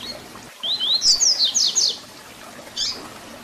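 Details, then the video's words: Double-collared seedeater 'Tui Tui Zel Zel' fibra song for young birds to learn: clean rising whistles followed by rapid falling strokes, with a single short note after a pause. "Papacapim Tui Tui Zel Zel Canto FIBRA para Encarte!!!"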